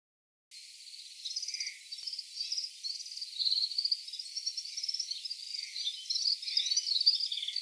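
Red-fronted serin giving a continuous, high, jingling twitter of rapid tinkling notes with brief buzzy trills, running without pause throughout.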